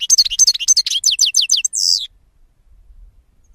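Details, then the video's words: European goldfinch song: a quick run of high, sliding chirps speeding into evenly repeated notes, closing with a buzzy drawn note, then silence. "Cante De Jilguero"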